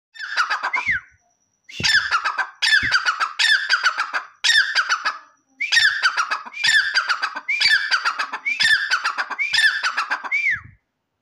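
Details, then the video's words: Grey francolin calling loudly: harsh, ringing phrases repeated in quick succession, each ending in a rising whistled note, given in long runs separated by brief pauses. "teetar ki awaz"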